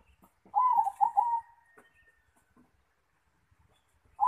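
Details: Zebra dove singing at the nest: one rolling cooing phrase of quick throaty notes lasting about a second, opening the clip, with a second phrase starting at the very end; quiet room otherwise.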